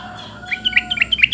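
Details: Sooty-headed bulbul calling to provoke an answer from other bulbuls: a handful of short, bright, slurred chirps in quick succession over a faint steady hum.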